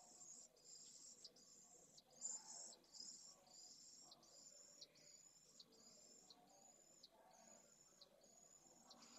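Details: Pallid swift nestlings begging at the nest, recorded on a live camera stream in Jerez de la Frontera on 8 September 2022: a steady series of high, thin, insect-like trills in bursts under a second, separated by brief silences.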